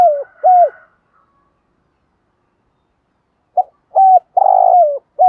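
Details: Lure spotted dove gives its calling coo to provoke wild birds. Two low coos end one phrase, followed by a silent pause. Then a new phrase begins: a short note, a coo, a long vibrating falling coo, and a clipped last coo.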